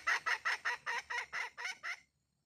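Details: A red junglefowl hen gives nine short, harsh, nasal clucks, evenly spaced about four per second. The notes fade slightly toward the end, followed by silence.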